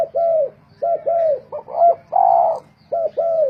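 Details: Spotted doves cooing in a singing contest, decoy birds offered for sale: low, hollow coos in arched double notes, with one longer rolling coo in the middle, repeated in short phrases over a faint low rumble.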